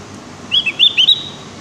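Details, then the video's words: Javan grey-throated white-eye learning to sing: a brief run of four or five high, quick chirped notes over faint background hiss. "Suara burung opior jawa Yang sedang belajar bunyi"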